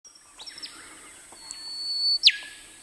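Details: Song of a male rufous whistler, recorded in the Burnett region of Queensland, Australia: long, steady whistled notes at several pitches, then a loud, sharp whip-like note that drops steeply.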